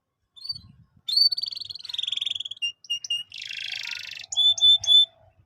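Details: Canary song used as a lure to train young canaries: short whistled notes, then a smooth rolling trill, a few sharp chips, a harsh buzzy burst, and finally bright, clear repeated whistles.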